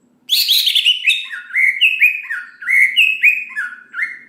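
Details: Greater green leafbird singing richly to spur other leafbirds to sing: opens with a harsh, buzzy burst, then a run of clear downslurred and upslurred whistles with occasional low dips, in irregular phrases.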